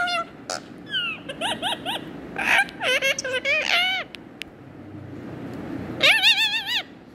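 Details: Indian ringneck parakeet talking: a string of short, high, nasal speech-like syllables with wavering pitch, a pause, then a final longer wavering phrase, over faint background hiss.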